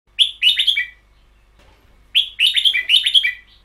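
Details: Caged red-whiskered bulbul singing in the long double-phrase style, 'beoe yao': two bursts of rich, bubbly warbled notes, each about a second long, separated by a pause of roughly one second.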